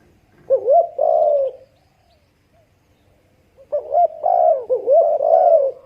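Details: Spotted dove cooing in two bouts: a short rising note leading into a long mellow coo, a pause, then a longer phrase of rising notes and wavering coos.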